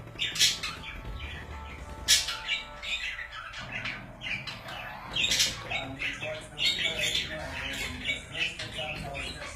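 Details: Several pet budgerigars chattering: dense, scratchy warbles mixed with sharp squawks and short chirps, continuous and irregular, with low room rumble underneath.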